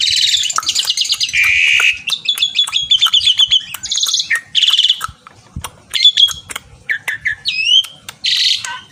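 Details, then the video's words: Javan pied starling in lively song aimed at a rival: opening run of dense buzzy rattles and rapid trills, then sharp clicks, short rising whistles and scratchy bursts, with brief gaps between phrases. "Burung Ocehan Jalak Suren Gacor Memanggil lawan"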